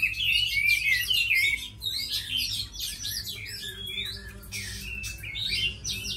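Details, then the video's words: Tamed Chinese hwamei, praised for fighting and singing, uttering clustered harsh-edged whistles and chattering bursts in separate groups with brief pauses, a faint low hum behind. "Mi thuần đấu tốt hót hay"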